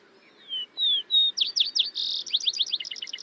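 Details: A Vesper Sparrow sings two or three slow, clear, plaintive, somewhat sad-sounding whistled notes, then a fast jumble of buzzy trills and descending chips, all high-pitched.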